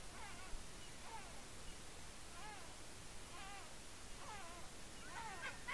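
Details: At the Smøla, Norway eagle nest on 12 July 2018, the eaglet Elida squeals with excitement while eating a fish brought by its parent: thin, wavering squealing notes in short bursts about a second apart, over a steady low rumble of wind.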